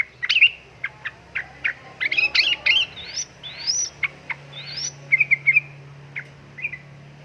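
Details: Female sooty-headed bulbul in heat calling for a male. Quick chirps are mixed with several high rising whistled slurs and a short trill near the end, over steady low background hum.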